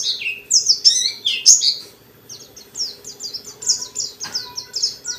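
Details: White-eye in energetic gacor singing, ngalas style, used to provoke other white-eyes into song: rapid high thin chirps and sliding whistled notes in dense bursts, a brief pause near two seconds, then quicker repeated downslurred phrases, with a faint low hum.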